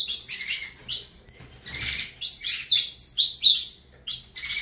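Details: Saffron finch singing: bright chirped notes and short whistled slurs in quick irregular bursts, some high ringing tones near the end, with brief pauses between phrases.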